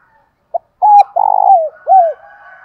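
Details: One Spotted dove phrase, used to provoke caged birds into cooing: a short pip, a level hollow coo, a long buzzy note sliding downward, and a final arched falling coo, with a faint higher warble underneath.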